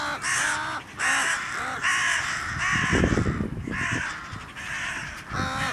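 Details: A crow defends itself against an attacking goshawk: rough, grating caws about once a second, broken midway by a brief scuffling, thumping noise before the harsh calls resume.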